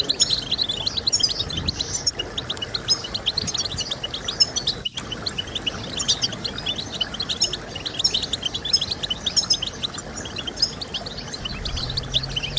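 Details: Goldfinch song meant to stimulate other goldfinches, a long, steady, high-pitched twitter of fast chirps and trills over background hiss, briefly cut out midway, with a low hum at the end.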